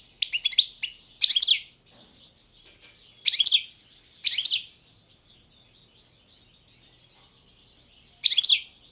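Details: Sparse song from a goldfinch of the subspecies balcanica: a few short, high chattering bursts separated by silences of up to four seconds.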